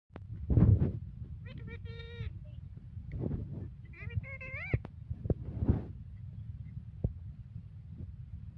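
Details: Pet parrot talking amid household noise: short harmonic whistled and mimicked phrases with bending pitch around 1.5–2.5 s and 4–4.7 s, low rumbling background and clicks throughout.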